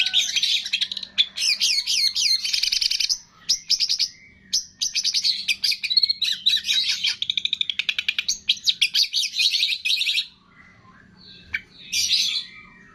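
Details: Cendet, the long-tailed shrike, singing a training medley with imitations of cililin, greja tarung, lovebird, tengkek and kapas tembak; piercing, tumbling high chatter and quick slurred whistles run nearly nonstop, breaking off near the end before one last burst.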